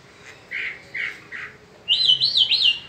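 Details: Peninsular mockingbird in spring: three soft, husky notes spaced about half a second apart, then a louder quick run of three high, arched whistled notes.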